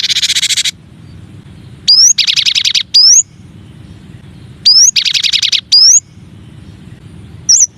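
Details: Cinereous tit (gelatik batu or gelatik wingko), one of nine masteran song variations: sharp rising whistled upsweeps alternating with harsh buzzy rattling bursts, the pattern repeated twice over a quiet hum.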